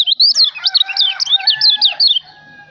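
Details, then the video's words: A white-eye from Lombok delivers a continuous, fast twitter of high slurred notes, each rising then dropping, for about two seconds before stopping. "kicau burung kecial lombok"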